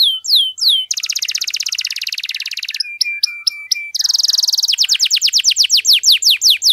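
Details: Canary delivering long gacor song to excite canaries that have stopped singing: brief falling whistles lead into a dense buzzing trill, a run of level piping notes, another harsh trill, then rhythmic descending whistles.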